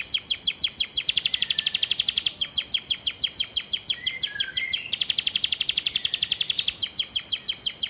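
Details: Caged canary with a sparrow-style (isian gereja) repertoire, kept as a master vocal for training: fast trains of high, sharply dropping notes in long rattling bursts, with a short pause mid-clip and a few thin slurred whistles underneath.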